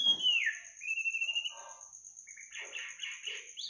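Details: Bird song at midnight: a long downslurred whistle, a sustained rising note, then a burst of quick buzzy chirps, a high insect trill running underneath.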